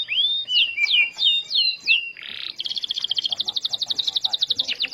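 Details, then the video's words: Starblue canary lure song meant to make other canaries sing: a few looping whistled phrases, a brief buzz, then a sustained rapid rolling trill of bright chirps. "Pancingan Burung Kenari Starblue Gacor Dor"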